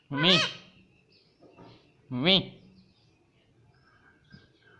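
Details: Talking parrot saying mummy, two clear voice-like words about two seconds apart, each a short rising-falling syllable with rich harmonics, then faint background chirps in a quiet room.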